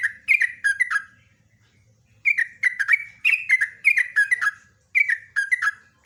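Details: Lively sooty-headed bulbul singing bursts of bubbly, slurred whistled chirps in quick runs, separated by a short pause of about a second, clear and loud.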